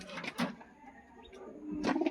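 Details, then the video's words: Domestic racing pigeon, one of a newly paired couple, gives a low soft throaty coo while a man talks nearby. "আওয়াজটা শুনতে পাচ্ছেন গাইস, দেখো পুরো জোড়া পায়রা একদম।"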